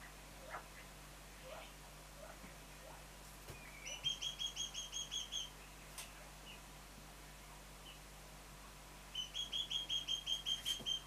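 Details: Juvenile Mountain quail, two birds aged three months: soft scattered clicks and faint notes, then two bursts of rapid high whistles, about eight then about ten notes, each thin and slightly falling, with a low hum throughout.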